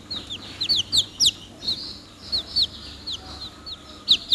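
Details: Young chickens cheeping close up: loud, piercing falling peeps given singly and in pairs, separated by short gaps, with fainter chick calls behind them.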